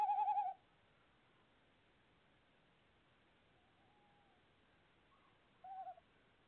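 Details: Tawny owl calling at a nest box on 25 February 2018 gives two brief, quavering hooting notes about five seconds apart, with quiet background between them.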